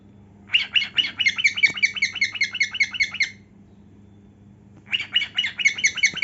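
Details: A dancing cockatiel sings, showing off its heartwings. A steady string of clipped, buzzy chirps runs for about three seconds, then a pause, then another burst starts. A faint hum of a room sits beneath.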